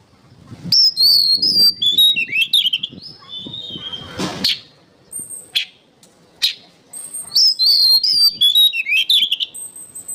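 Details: Oriental magpie-robin song used as training material for songbirds: loud, varied whistled phrases, rising and falling sweeps and sharp chirps in rapid bursts, with a brief noisy rasp in the middle and short pauses between phrases.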